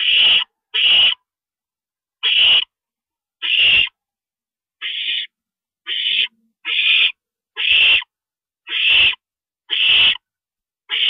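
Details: Owl at a nest during a parent's stopover, 2:40 AM on April 22, 2012; eleven harsh, hissing screech bursts, each under half a second, come in quick succession with short silent gaps.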